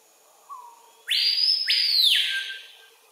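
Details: Male Screaming Piha, an adult, screaming from a lek near Kourou, French Guiana, early afternoon, 25 September 2023. A soft low rising whistle is followed by two deafening upswept notes, the second dropping into a long descending wail.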